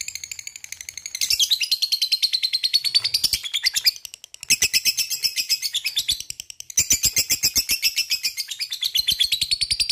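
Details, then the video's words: Lovebird in long ngekek song, used to provoke other lovebirds into singing: rapid, high, chattering trill of fast-repeated notes delivered in extended bursts, broken by two short pauses. "Lovebird mana yang gak bakal nyaut bila mendengarkan ini,gacor rajin ngekek panjang"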